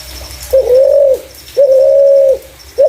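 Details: Lure call of a spotted dove, clear in tone: two sustained, low, flat coos, the second longer, with the start of a third at the end.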